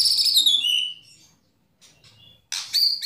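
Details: White-rumped shama lure song for setting off other shamas: one loud, full phrase falling in pitch, near silence with faint notes, then a sudden harsh burst and a high clear note.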